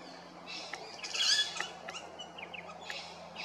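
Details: Rainbow lorikeets at Big Swamp Station in South Australia: a loud harsh screech burst near the middle amid scattered sharp, high chips and chatter from several birds.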